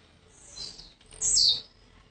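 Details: Caged Blue-black grassquit, a newly arrived bird from Jacarepaguá, Rio de Janeiro, giving a short high buzzy note followed by a louder descending high-pitched buzz, about a quarter second long.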